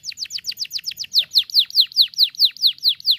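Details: Canary singing for chirping practice: a clean, steady tour of high down-slurred chirps, quick at first and then a little slower and louder, repeated about four times a second.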